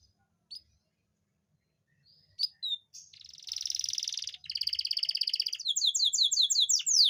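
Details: Canary song played to bring a female canary into breeding condition: a few sparse chirps, then rapid buzzy trills and a run of fast repeated downward-sweeping notes, high and bright.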